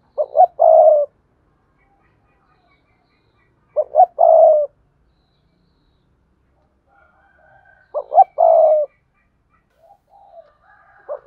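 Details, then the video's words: Spotted dove cooing to draw in wild doves: three hoot-and-coo phrases roughly four seconds apart, with faint higher bird notes between the later phrases. "Tiếng cu gáy cườm sa thúc + gù + gáy gọi kích bổi hiệu quả"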